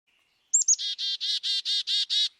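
Chickadee giving its namesake call: two or three thin, high opening notes, then a run of seven harsh, buzzy 'dee' notes in quick succession.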